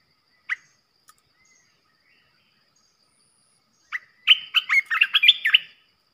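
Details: Decoy song of a red-whiskered bulbul, played to provoke other bulbuls: a lone sharp note, a long pause, then a call and a lively rush of warbling whistled notes near the end.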